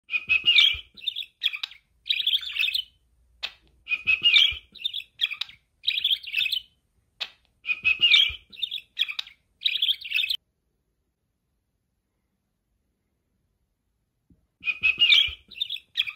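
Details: A female pet budgerigar chatters in quick bursts of bright, scratchy chirps and warbles while being scratched behind the ear, pausing between phrases.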